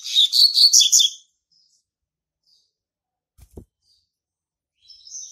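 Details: Young male Double-collared Seedeater, hatched March 2019, singing to mark its territory: a rapid burst of high, chattering chirps lasting about a second, followed by near silence and a faint thin note at the end.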